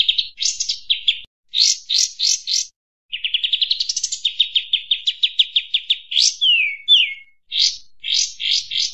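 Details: Sooty-headed bulbul in a noisy lure recording meant to make birds gather: clusters of sharp high chirps, a long accelerating rattle-like run, two clear falling whistled slurs, then more clipped notes after brief pauses.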